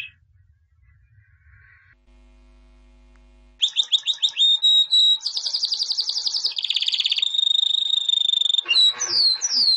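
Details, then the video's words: White canary, albino, a 2017 champion: a few seconds of near quiet with a faint tone, then loud song of rapid trills, buzzy rolls and sharp sweeping whistles. "Εκπαίδευση καναρινιών - θα κελαηδούν σαν αηδόνια White Canary Singing (Albino) Chambion of 2017"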